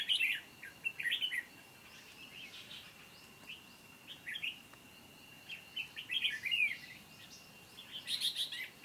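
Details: Red-whiskered bulbul used as a decoy in a trapping session, singing competitively to lure wild birds, recorded 29 July 2020 in Vietnam; short bursts of bright warbled, chirpy phrases come in clusters separated by pauses, with a steady high hum behind.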